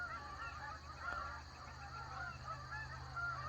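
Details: Many geese honk at once with nasal, overlapping calls about every second over a low rumble. The flock sits between a lake and a pond, where geese are heard all day long.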